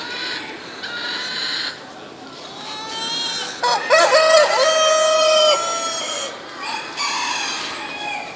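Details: A Brahma rooster crowing: one long, loud, harmonic crow held steady for nearly two seconds mid-clip, flanked by softer broken calls and hiss-like background noise.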